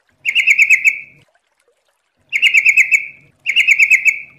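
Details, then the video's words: Trucukan, the yellow-vented bulbul, singing in fast 'ropel' style: three similar gurgling, bubbly phrases of quick repeated notes, each about a second long, separated by short silences. "MASTERAN TRUCUKAN GACOR||LANGSUNG NYAUT CEPAT ROPEL||TERAPI TRUCUK"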